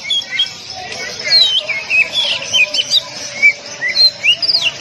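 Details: Oriental magpie-robin training song for caged birds, dense tight-shot style: varied whistled phrases with rising and falling slurs, closely packed and continuous, a faint steady hum underneath.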